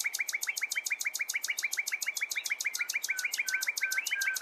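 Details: Common nightingale in full song: a steady, fast, loud series of identical sharp, slurred notes, about eight each second, continuing without a break.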